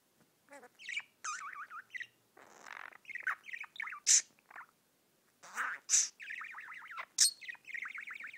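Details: Singing pet budgerigar delivers a busy, bubbling warble: runs of rapid wavering notes mixed with harsh buzzy bursts, sharp high chips and squawky fragments, stopping briefly before a fresh burst of trilled chatter.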